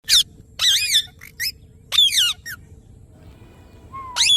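Indian ringneck parrot giving harsh, high squawks and chirps in short bursts with pauses between, ending in a rising whistled note.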